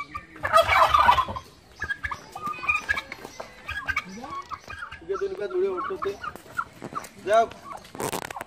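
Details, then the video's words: A male turkey gobbles while attacking people, a loud, rapid, rattling burst near the start, followed by softer clucks and gabbling calls, with some human voices and handling noise. "Turkey Bird Video"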